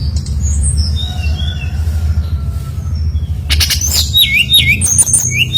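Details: Brown-chested jungle flycatcher in full, active song, used as a lure to draw other birds of its kind into singing; thin high whistled notes and sharp trills over a steady low hum, growing louder and denser in the last two seconds.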